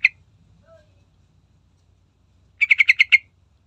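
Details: Sooty-headed bulbul (trucukan) sound used as a lure to get other birds singing: one short sharp note, silence, then a quick run of six harsh, chattering, evenly spaced notes.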